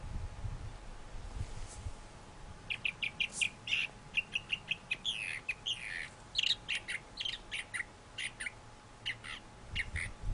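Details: Thrasher song: after a quiet opening with low rumble, a lively series of varied sharp notes and slurred phrases begins and continues to the end, many given in quick pairs.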